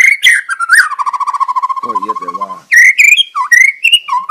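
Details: Wild White-rumped shama singing loudly and vigorously: sharp whistled notes, then a long rapid run of even repeated notes with a lower buzzy stretch, ending in varied rising and falling clear whistles.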